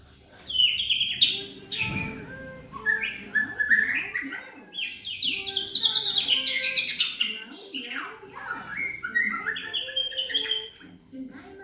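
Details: Caged juvenile White-rumped shama of the black-legged Medan type, 3.5 months old, still in baby feathers, singing vigorously in Yogyakarta. A long, rich medley of whistles, trills and sharp chirps, with a low thump and faint murmuring beneath.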